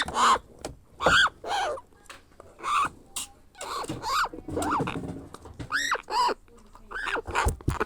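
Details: Young grey parrot hatchling being hand-fed, repeating coarse arched begging squawks, many in quick pairs, with brief soft gaps and light handling noise.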